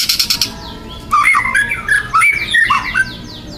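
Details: Young forest white-rumped shama in 'tembakan' style with harsh 'kasaran' material: a short raspy burst opens, then loud, dense whistled phrases sliding up and down in quick succession.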